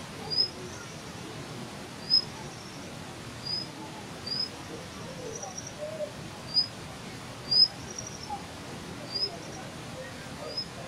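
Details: Plumbeous water redstart giving sharp, thin, very brief high notes, each a quick clipped 'ziet', spaced irregularly about one to one and a half seconds apart over a steady low background hiss.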